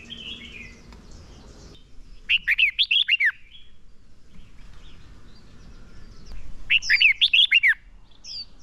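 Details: Red-whiskered bulbul acting as a decoy, singing a fighting song to stir up and train other birds for contests; two rich, rolling phrases of several slurred notes, separated by roughly four seconds.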